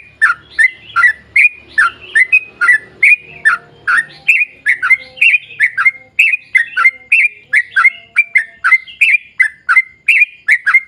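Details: Extended lure song of an energetic sooty-headed bulbul in long rapid style: bouncing, bright chirping notes in a fast continuous stream, with faint low murmur early on.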